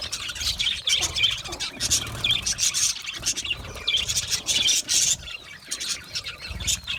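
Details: Budgies chirping and chattering in a colony when happy: bursts of busy warbled chirps and squawks from many birds, pausing briefly between bursts, with low knocking underneath.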